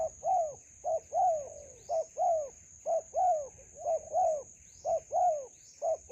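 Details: Wild spotted dove in a melaleuca grove answering a trapper's decoy: repeated two-part coos, brief hoot then longer curved falling coo, roughly one phrase per second, steady insect whine overhead.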